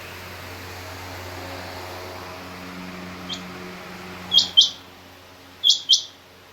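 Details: Female rain quail calling in a mixed quail recording with king quail. A faint note comes first, then two pairs of sharp high double notes over low steady hum.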